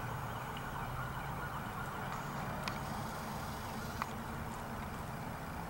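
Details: Steady outdoor traffic rumble and broadband noise with a few sharp clicks, and no animal voices.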